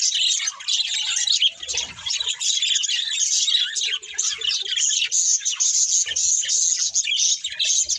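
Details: Pet budgies warbling while eating, a continuous, busy mix of high chirps, short whistles and buzzy trills, with a faint low rustle early and a few quiet knocking sounds later.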